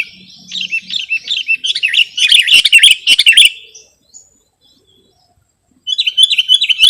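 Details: Sooty-headed bulbul lure and masteran sound: a run of repeated, rising chirped whistles building into loud, bubbly chatter, silence after four seconds, then a fresh fast series of chirps from six seconds.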